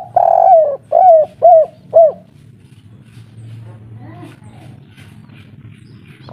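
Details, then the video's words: Agitated local spotted dove in kuk 3 style opens with four loud coos, a long blurred note then three short falling ones. Quiet murmuring and faint indistinct sounds follow. "Derkuku kuk3 lokal gacor ngamuk bikin ribut - suara paten kuk3"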